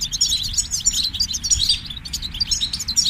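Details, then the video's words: Continuous European goldfinch twittering, busy high chirps and trills running almost without pause, over a steady low background hum. "Highlighting motivating songs for creative goldfinches in simple ways"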